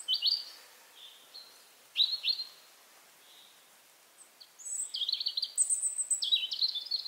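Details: Robin song recorded at the end of April in Berezinsky Reserve, Belarus: short high sibilant phrases with pauses, then a denser rippling sequence of thin whistles and trills at varied pitches toward the end.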